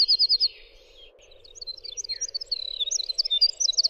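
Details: A short fast trill opens this winter wren song. After a brief quiet spell comes a racing sequence of high tinkling and warbled notes. A low hum persists beneath.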